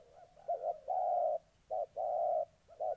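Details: Spotted dove cooing in Gia Lai, Vietnam, 14 August 2020: a moulting captive decoy bird meets a fight-eager wild dove. Short note then longer steady coo, repeated in pairs, mellow and low, over quiet background.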